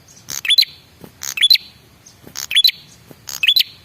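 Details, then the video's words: Repeated bright chirp bursts from a male red-headed prinia lure call, played to provoke replies: four clusters of sharp high notes, each ending in a short rising twist, spaced about one second apart. "suara pancingan burung prenjak kepala merah jantan"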